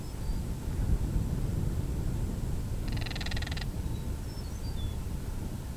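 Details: Disturbed Northern Crested Caracara in breeding season, recorded on a Canon SX70HS, makes a single hollow, fast-pulsed rattle lasting under a second midway through; faint thin whistles of other birds and constant low rumble behind.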